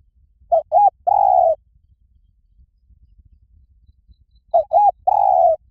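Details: Spotted dove cooing, used as a lure recording to draw wild doves in quickly. Two low, mellow phrases: each opens with two short clipped coos and ends in a longer drawn-out coo, separated by a few seconds of quiet.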